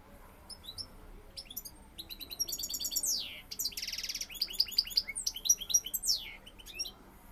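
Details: Courting male European goldfinch sings to a female: a dense, rapid, liquid twittering with tinkling high notes, a harsh buzzy trill in the middle, then sweeping chirps and fast chattering phrases.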